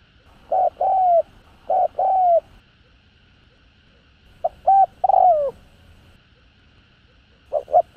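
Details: Spotted dove calling to stimulate caged doves: paired coos with a longer falling second note, repeated several times with irregular gaps of one to two seconds, over a quiet steady background hum.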